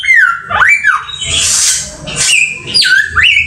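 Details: Samyong bird giving loud slurred whistles that dip and rise, broken by a harsh rasping burst in the middle, with a soft low rumble in the background.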